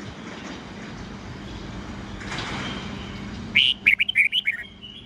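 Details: Morning singing of a red-whiskered bulbul, 'old forest voice' style with 8-9-10 notes, used for teaching young white-cheeked birds. After a low rumbling hum, a rapid burst of about eight sharp, whistled, up-and-down notes lasts about a second.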